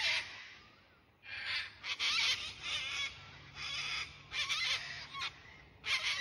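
Sulphur-crested cockatoos give loud, harsh, grating screeches in bursts, several birds overlapping, with brief pauses between the raucous outbursts.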